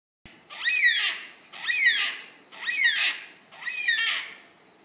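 A yellow-tailed black cockatoo gives four long, wailing, harsh calls, each rising then falling, about one per second, over a quiet background.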